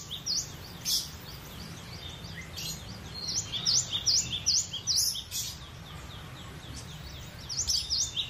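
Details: Cinereous tit (gelatik batu) delivering rapid runs of high, clear, V-shaped whistled notes, several phrases of four to six notes each, with scattered sharp clicks and a faint low rumble underneath.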